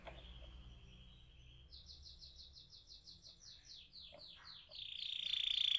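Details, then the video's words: Canary roll song used as a lure to prompt other canaries to sing: a faint, quick series of high, repeated notes over a low background hum, ending in a harsh hissing burst. "PANCINGAN TERCEPAT dan SUKSES BIKIN KENARI GACOR NGEROLL"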